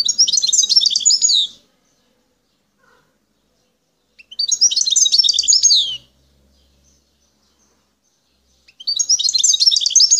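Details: Wild European goldfinch of Algeria, recorded at Bouteldja in El Tarf, repeats a bright, tinkling twittered phrase about one and a half seconds long three times, separated by silent gaps.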